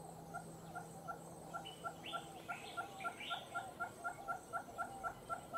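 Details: Western red-billed hornbill (Tockus kempi) in the Gambia giving a steady run of hollow clucking notes, about four each second; a few brief higher chirps from another bird break in midway.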